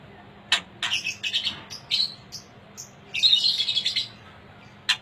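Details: Murai aceh, an Aceh white-rumped shama described as top quality, singing in bursts of bright whistled and chattering high notes with sharp clicks between phrases, steady low hum in the background.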